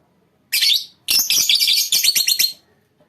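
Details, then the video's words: Lovebirds in a colony: a loud, continuous, shrill chattering of harsh high squeaks in two long bursts, the second breaking into rapid pulses before fading. "lovebirds colony"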